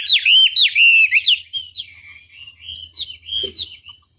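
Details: Chinese hwamei, from a master recording used to make rivals answer: three loud, swooping whistled notes in the first second, then a softer, trailing warble of quieter whistles.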